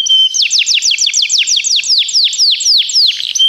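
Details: Canary song for training young birds: a steady trill of loud downward-sliding whistled notes repeated about four times a second, over a sustained high whistle at the start and end.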